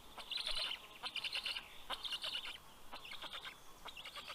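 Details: Several black stork chicks on a Karula National Park nest in southern Estonia calling as the adult male arrives with fish, late morning, June 2023; rapid rasping, wheezy bursts overlapping in uneven groups.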